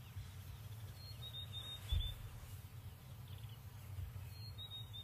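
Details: White-browed scrub robin (Cercotrichas leucophrys), the "here kitty kitty" bird, song: thin, high whistled phrases of a few quick notes, heard twice and fairly faint over a steady low rumble of wind.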